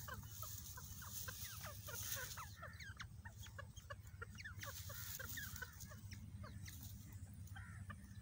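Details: Desi teetar, a grey francolin, busy preparing an egg-laying place. It keeps up a continuous stream of brief clucking, downward-sliding chirps, with a faint hiss and low hum underneath.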